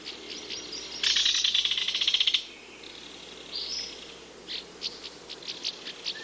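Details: Kingfisher calling with a rapid, high, harsh rattle for over a second, followed by scattered short sharp chips against a quiet background.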